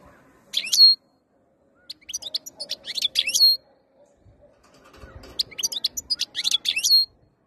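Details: European goldfinch in breeding condition, ready to mate, giving two bouts of liquid twittering with sharp rising and falling notes and short buzzy trills, set apart by a silent gap.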